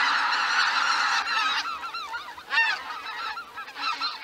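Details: Greater white-fronted geese leaving their roost at Miyajima-numa in 2023, a dense chorus of many overlapping honking, yelping calls with rising and falling squeaky notes, the flock calling continuously.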